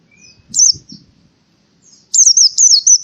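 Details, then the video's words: Indonesian white-eye performing canary-style burst song to encourage lazy birds to sing: a brief warbled high phrase, low rustling, then a longer loud run of looping, twisting high notes. "PLECI TEMBAKAN KENARI"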